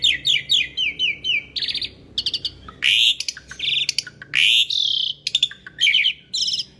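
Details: Asian pied starling, known locally as jalak suren, singing energetic masteran-style song: rapid descending chirp series, then loud harsh rasping bursts alternating with bright whistled slurs and clipped notes in a dense, varied stream.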